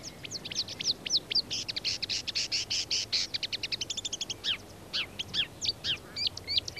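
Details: Marsh warbler (Acrocephalus palustris) sings a fast, varied run of high chirps, buzzy trills and whistled notes with quick pitch and rhythm shifts, in reedbeds of the undisturbed former East German border zone, 1989.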